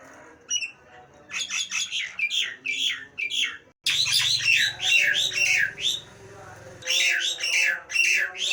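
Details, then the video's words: Nias hill myna pouring out rapid, rough slurred squawks in grouped bursts, a low hum running under the middle section "Suara burung jalak nias bikin kuping panas"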